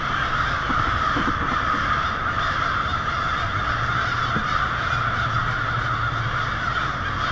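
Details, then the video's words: American crows by the hundreds or thousands arriving at an evening roost along a Lansing, Michigan street in February, a noisy racket of massed, overlapping rasping caws forming a constant roar, faint low rumble below. "Large murder of Crows in Lansing"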